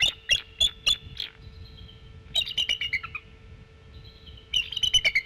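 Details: Warning calls and chittering from a female bald eagle on her nest in November: sharp high piping notes, then rapid chattering bursts, with a steady background hum.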